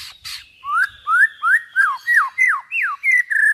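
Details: Songbird master song for training trocok garuda: a regular series of about eight loud whistled notes, each rising then dropping sharply, repeated roughly every third of a second, following two softer opening notes.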